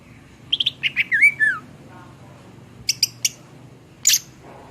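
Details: Greater green leafbird (cucak ijo) in full voice, used to tutor songbirds: a burst of quick chirps flowing into a descending wavering whistle, followed by faint background noise and scattered sharp high clicks.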